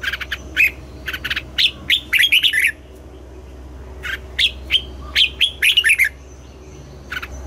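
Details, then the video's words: A red-whiskered bulbul sings at morning in the double-note wild style, giving choppy bursts of sweet whistled notes in two bouts, with scattered single chirps before and after them. "Luyện giọng cho chào mào hót sáng, ép chào mào hót âm kép già rừng hay tuyệt!"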